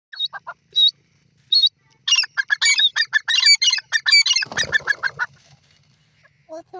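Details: Grey francolin (dasi teetar) calling: a burst of rapid, shrill, harsh notes that builds into a dense chattering run of high squeals before stopping, with a low rustling thump midway and a few scattered notes at the end.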